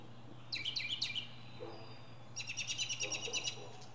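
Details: Northern mockingbird singing its varied repertoire from the top of a pine tree: a burst of quick chirpy notes, then a run of rapid repeated high chips, about three per second, over a steady low hum.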